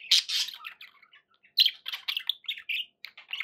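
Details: Budgerigars kept as pets let out a harsh squawking burst, a quiet spell of soft chirps, then renewed scratchy warbling and clipped chirp notes.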